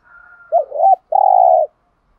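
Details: Spotted dove calling as a lure to rouse rival doves: a soft steady tone fades into a wavering two-part note, then one long, rough, level coo lasting about half a second.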